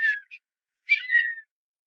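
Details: Male Redhead in Fort Erie, southern Ontario, calling to attract a female: two nasal, catlike mewing notes, the second longer and drawn out, with a brief soft note between; no other sounds.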